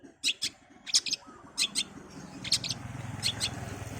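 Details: Long-tailed shrike singing fast: short bursts of sharp, high chirps and trills in clusters about every half second, over a low rumbling background noise.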